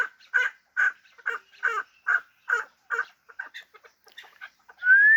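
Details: Hybrid fighting partridge giving a steady series of harsh clucking notes, about two per second, then softer irregular clucks, ending as a clear rising whistle begins.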